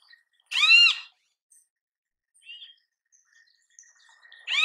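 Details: Great kiskadee in natural habitat calling a loud buzzy, arched screech, then quiet faint chips and a thin steady background tone before another harsh note begins at the end.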